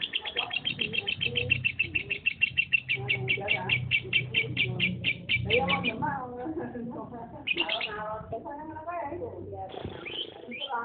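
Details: Home-bred lovebird giving a fast, evenly repeated series of sharp chirps, roughly two per second, then breaking into varied, warbling chatter with rising squeaks. A low murmur of voices runs underneath the whole time.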